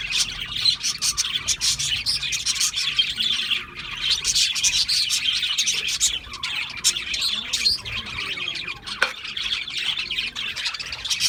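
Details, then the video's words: Chirping budgerigars in a continuous busy chorus of rapid, buzzy high twitters and clicks, a near-constant wall of chatter with brief dips in loudness around the middle and one sharp note near the end. "Natural Parakeet Singing Birds | Parrots Chirping sounds"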